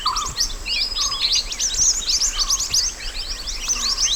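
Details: Natural mountain white-eye song from the wild, meant as a master for training birds: dense, continuous high twittering of rapid chirps with occasional lower short warbles, over a constant hiss.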